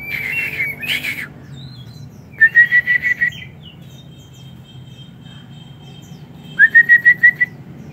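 A white-rumped shama gives two bursts of six or seven quick, clear whistled notes on one steady pitch, a few seconds apart. A brief rustle opens the recording.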